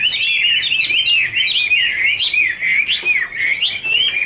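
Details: Chinese hwamei in a dancing duet, wings fanned, delivering a smooth warble of connected rising and falling whistles, steady and loud throughout.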